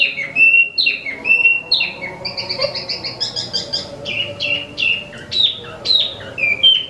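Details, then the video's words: Imported caged Wambi mini (Tieu Mi), singing actively: bright, fast whistled phrases with sliding notes, sharp chirps and quick trilled bursts, delivered almost without pause, over a faint low hum. "Wambi Mini Asli Impor/Tieu Mi Gacor 12 Menit Non Stop"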